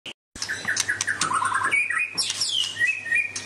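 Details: White-rumped shama of the Medan type in full song, a varied run of loud whistled phrases around mid pitch with rapid trilled notes, sharp chips and a sliding high whistle, over a steady low hum.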